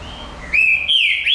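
A Green-winged Saltator gives a brief, loud whistled phrase of two clear notes, the second sliding higher and then dipping back, with faint background hiss.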